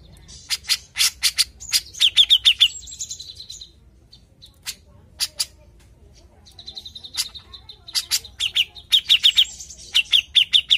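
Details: A cucak jenggot (grey-cheeked bulbul) sings in gacor style as a pancingan lure: bursts of fast bright chirps with a held high whistle, broken by quieter gaps with a few isolated notes.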